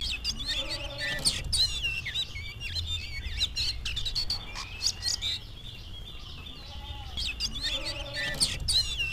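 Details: Oriental magpie-robin singing on seeing a rival, busy overlapping whistles and scratchy chatter, repeating in bursts, with steady background hum.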